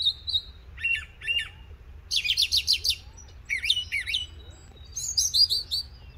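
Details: Wild Northern mockingbird in song on an April morning in Coles County, Illinois. Each high phrase is repeated two or three times before it switches: paired whistles, a fast sharp trill, slurred notes and a final chattering series.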